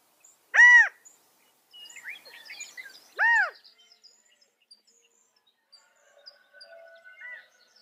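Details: California quail giving two loud, arched, harmonic calls about two and a half seconds apart, with soft twittering between them and quieter chirps afterwards.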